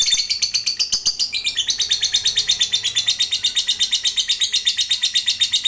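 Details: Continuous 'ngekek' chattering of a fighter lovebird, used as a lure to get other lovebirds answering; dense, piercing pulsed trills near three per second, with a brief stutter early on before settling into an even rhythm.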